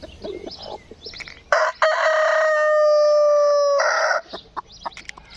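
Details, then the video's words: Rooster crowing loudly after a few soft clucks: a rough opening burst, then a long, steady, nasal held note of about two seconds ending in a harsh break, with quiet clucking and clicks following. "PIJETAO KOJI PRIČA"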